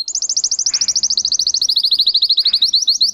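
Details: Russian canary, a breed kept for singing, delivers an unbroken high rolling trill of quick, evenly spaced notes, roughly a dozen each second, for over three seconds.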